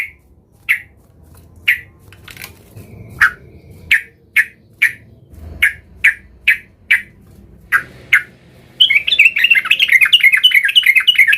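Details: Agitated yellow-vented bulbul challenging a rival: a run of evenly spaced sharp single notes, roughly two per second, breaking into a fast, dense, bubbling warbled trill at the end.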